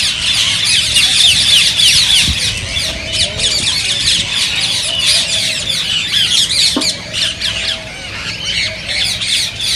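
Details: Busy chorus of rose-ringed parakeets, said to stimulate others to sing and mate; fast, scratchy high squawks repeat several times a second, briefly easing toward the end.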